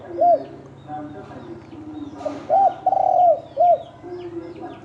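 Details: Spotted dove, a wild-type bird, calling during a fight: low, rounded cooing notes, one short, then a drawn-out arched coo and another short note, over faint background chirps and a brief noise burst.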